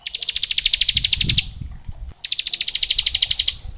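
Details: Bar-winged prinia song used for tutoring young prinias: two fast high trills of evenly spaced buzzy notes, each about a second and a half long, with faint low rumble beneath.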